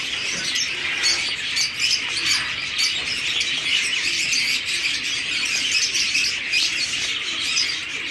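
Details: Zebra finch breeding colony in an aviary, a constant wash of sharp, squeaky chirps from numerous birds, with occasional louder squawk-like notes breaking through the chorus.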